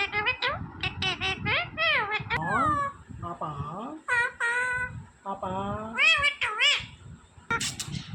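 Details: Talking green parrot, kept as a pet, imitating human words such as Mummy, Papa and Radhe Radhe; a run of squeaky, harmonic, rising and falling syllables with short gaps, while people talk and laugh nearby.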